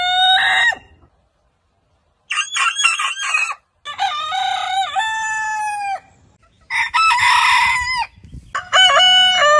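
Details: Heritage-breed roosters give a series of crows. A short crow ending is followed by silence, then choppy, stuttering crows and a long wavering crow. A raspy, noisy crow and a bright final crow close the sequence, with quiet gaps between them.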